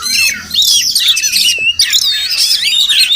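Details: Oriental magpie-robin (Murai Kampung), a wild bird visiting a home every morning; brief burst of loud, scratchy, buzzy notes mixed with high wavering whistles, delivered almost without pause over a few seconds.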